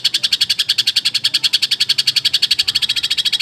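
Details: Long-burst filler song of a greater green leafbird, a fast run of sharp, high pulsed notes hammered out in an unbroken, slightly uneven rattle from start to finish.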